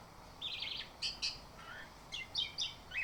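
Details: Orange-headed thrush song used as a morning lure to prompt a bird to sing in long, open-voiced runs; short high warbled phrases and sharp chirps come in scattered bursts, with a brief lower whistle midway over faint background hiss.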